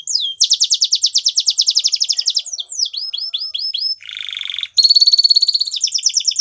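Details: A Spanish Timbrado canary sings a long steady trill of rapid notes, then falling chirps, a low harsh buzz, and a bright pulsing trill at the end.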